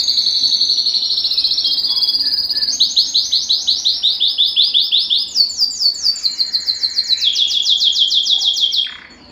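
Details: Long canary song phrase, Belgian type, aimed at exciting the female for breeding: high trills that change speed and pitch in several sections, the notes crisp and pulsed, closing on a falling slur.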